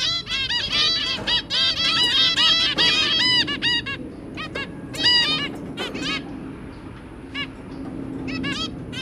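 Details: Pet zebra finches, a pair with their three babies, recorded 23 January 2022: a dense run of nasal, honking beeps with stacked overtones, many birds calling over one another, easing into scattered single calls toward the end.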